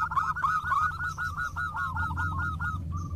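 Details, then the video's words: Local zebra doves calling back and forth: a continuous, fast series of arched cooing notes, several per second, with overlapping voices at the start and steady low-pitched background rumble throughout. "PERKUTUT JADI RAMAI SALING SAHUT !! (Perkutut lokal gacor)"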